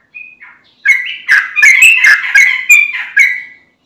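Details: Sooty-headed bulbul (trucukan) giving a lively, bubbling run of rich chirps and warbled notes, about three per second, mid-to-high pitched, after a short opening whistle; a lure song meant to make untrained bulbuls answer.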